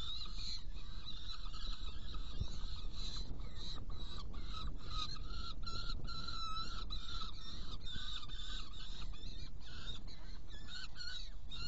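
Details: Saker falcon recorded in Hungary, 16 June 2018, during prey delivery and feeding of two young ones: a long run of rasping harmonic notes, some clipped and overlapping, with constant low-frequency noise beneath.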